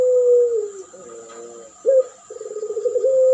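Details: Spotted dove in a duet lure recording for training and luring doves: a long drawn-out low coo falling at its end, a brief sharp note, then a vibrating trilled coo rising into a held tone.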